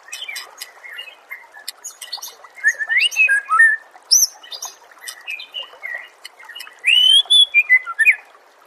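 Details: Training recording for songbirds of Oriental magpie-robin song, a varied medley of clear slurred whistles, quick chips and buzzy high flourishes in irregular bursts, with a loud rising-falling whistled phrase near the end.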